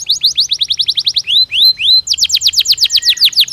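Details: Canary song for encouraging breeding activity: a quick chattering trill, two rising slurred whistles, then a fast tour of falling notes, with a faint low hum underneath.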